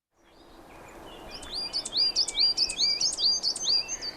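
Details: Coal tit song: a quick, high, thin run of repeated two-note 'chickadee'-like phrases, about two a second, over a steady hiss; higher and thinner than a great tit's song, often sung from a conifer.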